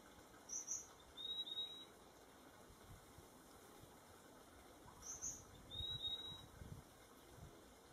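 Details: A Purple-throated Euphonia singing in the wild gives two high, thin whistled phrases a few seconds apart, each a pair of bright notes then a drawn-out whistle, over a steady insect drone.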